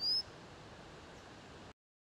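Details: White-capped redstart (chafi) from Nainital, Uttarakhand, India: a single brief, high, thin upslurred whistle at the very start, followed by faint hiss and then silence.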